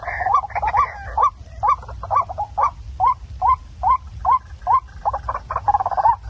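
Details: Waterhen calls played back at night to lure birds for catching: a steady series of short, harsh, rising notes, about two per second, over a constant low hum.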